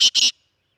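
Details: Sindhi black francolin, known locally as kala teetar and described as a speeder chakri wala bird, uttering two rasping buzzy notes in quick succession, the second longer, followed by silence.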